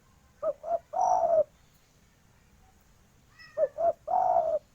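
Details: Spotted dove female calling for a male, local Indonesian bird: a low, soft phrase of two brief coos and one longer, slightly falling coo, given twice about three seconds apart over faint steady background hiss and a thin high chirp.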